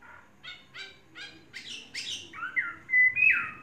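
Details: Chinese hwamei, a tamed three-season bird, starting with several buzzy, rasping notes at even intervals before switching to loud, pure whistles at the close.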